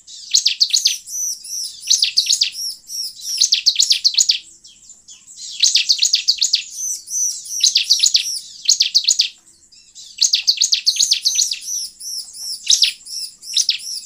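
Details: Long sequence of bar-winged prinia song used to lure wild birds, rapid high chirping trills in bursts of two to three seconds, interspersed with arched whistled notes and brief quiet gaps.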